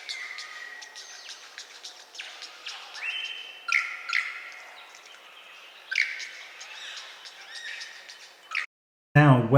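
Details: Superb Lyrebird in eastern Australia, a noted mimic, pours out a varied run of loud whistles, ringing notes and clattering bursts, switching phrases every second or two; a voice breaks in at the end.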